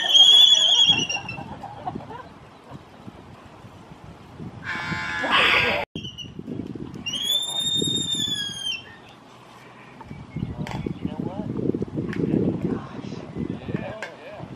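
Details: Laysan albatrosses at a small breeding colony overlooking the ocean on a Kauai golf course at sunset, amid courtship, give high, harmonic whistled calls and a harsh rattling burst while people talk softly nearby.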